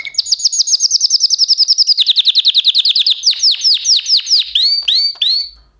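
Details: Canary song built of rapid repeated tours: a long rolling trill of quick descending notes, then slower swooping syllables, ending with a few upward-curving whistled notes; nothing else audible.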